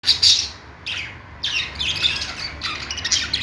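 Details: Pet budgerigars singing: bursts of scratchy, warbling chirps high in pitch, separated by short quiet gaps, with a loud squawk at the start.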